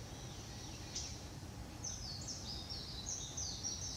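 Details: A Japanese bush warbler, heard but not seen, gives its dry, clicking winter calls on November 20, 2016: a quick irregular series of short high notes over a steady low background rumble.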